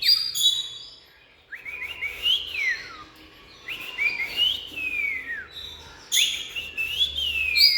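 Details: Oriental magpie-robin singing: clear, high whistled phrases that slide up and down, given in bursts with short pauses, and a faint low hum underneath.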